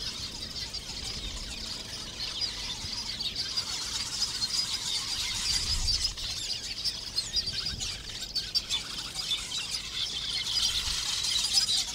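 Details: Chorus from a lesser masked weaver breeding colony nesting in thorn acacias close to water; unbroken high-pitched squeaks, rattles and buzzy chatter from numerous weavers, swelling slightly in the middle and near the end.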